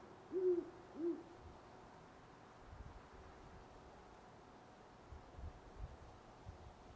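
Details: Two low hoots from a great horned owl open this stretch near sunrise in Parker, Colorado, November 25, 2011, followed by several seconds of near silence with faint background noise.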